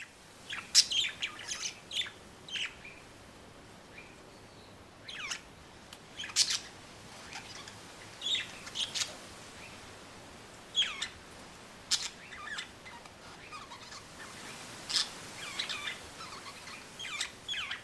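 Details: Two budgerigars outdoors among trees give short, sharp chirps and squawks at irregular intervals over a soft wash of wind.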